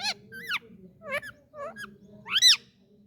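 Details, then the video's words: Indian ringneck parakeet, a talking parrot, making several short arched squeaky notes that rise and drop in pitch, ending with a louder shrill screech, a faint hum underneath. "Ringneck Talking parrot"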